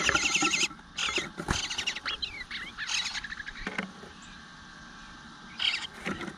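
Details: Eastern bluebird nestling at the nest begging for food, 25 June 2022, 9:10 am; dense bursts of loud, harsh, layered high calls crowd together, then a pause and a final burst near the end.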